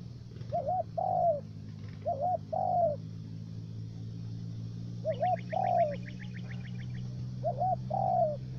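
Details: Decoy spotted dove calling for bird trapping in U Minh, Ca Mau, Vietnam. It repeats four two-part coos, each a quick wavering note and then a drawn-out slurred one. Another bird's rapid high trill joins midway, over a constant low hum.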